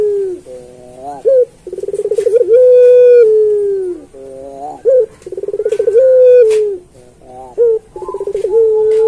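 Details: Puter pelung turtle dove repeating its song about every three seconds, kept as a training master for other pelung doves: wavering low notes, a sharp hoot, rolling pulsed trill and long level coo, in three full cycles.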